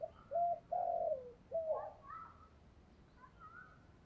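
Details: Spotted dove in the 'thổ' voice style, calling to lure wild doves: three low, mellow coos in the first two seconds, the middle one drawn out and falling. Fainter, higher soft notes follow over a quiet background hiss.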